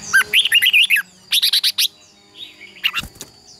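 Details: Red-whiskered bulbul duel song (hót đấu) for training other birds. Two quick strings of bright, bubbly whistled notes come about a second apart, followed by a few softer chirps and a click.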